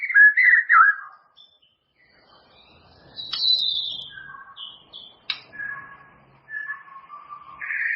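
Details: White-rumped shama song meant as a training recording for caged birds to unlock their repertoire: a varied sequence of separate whistled notes and short slurred phrases at differing pitches, broken by pauses, with faint low background rumble.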